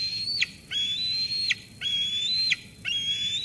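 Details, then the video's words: At the Sauces Canyon nest in June 2021, a young eagle squees at its parent that has just delivered food: drawn-out high whistles, each cut off with a quick drop, about once per second. "Dina squees Mom away, then eats."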